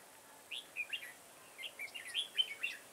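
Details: Red-whiskered bulbul heard on a garden trapping day, 9/10/2017. Two short, bubbly whistled phrases of quick warbling notes, the second louder and more rapid, over quiet background.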